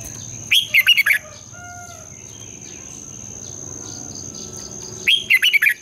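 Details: Morning competition song of a red-whiskered bulbul, a long twisting double-voiced style used as lure song for training. One chattering, warbled phrase opens the clip and another closes it, with a continuous thin high hum between.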